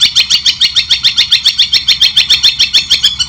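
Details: Training recording of a White-rumped shama, clear and measured: a steady, evenly spaced series of sharp, ringing high notes, roughly three and a half per second, continuing without a break.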